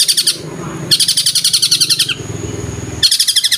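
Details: Long-tailed shrike delivering a kingfisher imitation: loud bursts of fast, rattling repeated notes, each lasting about a second, with low background noise between bursts.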